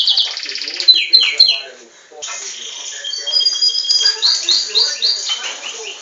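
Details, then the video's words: Captive-bred Belgian canary singing. Brief ringing trills and falling notes are followed by a short pause, then softer rolling trills and quick upslurred chirps that repeat in short runs. "O Canto do Canário Belga"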